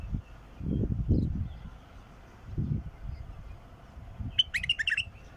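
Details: Low thuds and rumbles open the recording, then a wild bulbul gives one short, bright phrase of fluty, jumbled whistles near the end.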